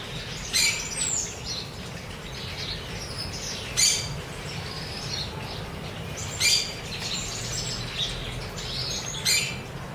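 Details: Chopi blackbirds fed in freedom at Cuiabá, Mato Grosso, Brazil: loud sharp chirps and whistled notes burst out in four clusters about three seconds apart, with softer chatter between and a steady low rumble underneath.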